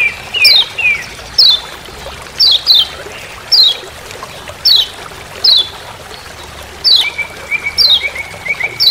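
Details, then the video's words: Steady "ciak ciak" calling of a Lemon-bellied white-eye in Lombok forest, used for master training: repeated high descending chirps, some paired, about one per second, with a brief lower trill late and background hiss. "Masteran Kecial Kuning Ciak Ciak Di HUTAN"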